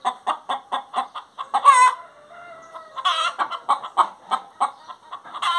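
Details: A hen singing in rhythmic clucks repeated about five times a second, broken by a loud cackle and a long, thin tonal note, then more clucking.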